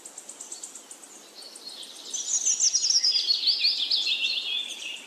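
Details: Soft rapid ticking notes open, then a bright burst of jumbled, high, twittering song with quick slurred chirps fills the second half.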